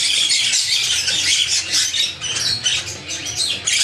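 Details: Young red-winged parrots (Aprosmictus erythropterus) of the year, recorded in 2014, making continuous loud, harsh, overlapping chatter and squawks with no pauses, several birds calling at once.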